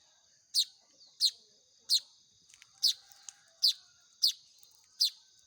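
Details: Hand-fed young Baya weavers begging with seven piercing, downward-sweeping chirps spaced roughly every two-thirds of a second, with faint rustling between calls and a steady high hum behind.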